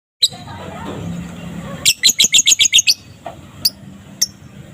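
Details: Young balibu fighter lovebird singing in the afternoon, used as a lure to get silent lovebirds singing: a short, fast burst of about eight sharp, high chattering notes, then a few scattered chirps over a low background hum.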